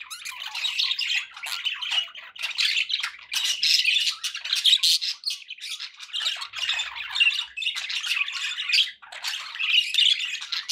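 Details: Pet budgerigars keep up a long scratchy warble of squawks and chirps, grouped in bursts with brief dips between, with no other noises.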